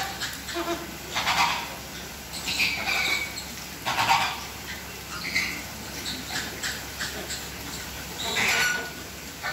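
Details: A flock of Chilean flamingos at WWT Slimbridge gabbles during courtship marching display: nasal, goose-like honks in uneven bursts roughly every second or two, overlapping over a steady background hum.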